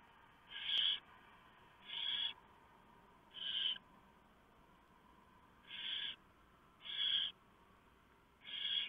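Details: Barn owls at a nest at 3:59 AM on 3 November 2015, as the male delivers a huge mouse and the female shreds it for the owlets: six harsh, breathy hissing screeches, each under half a second, repeated about every second, over steady background hiss.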